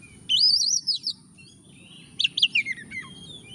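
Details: Oriental magpie-robin singing, used to lure a lazy magpie-robin into song. A long rich warbled phrase is followed by a pause, then quick rising and falling whistled notes trailing off, over a thin continuous high tone.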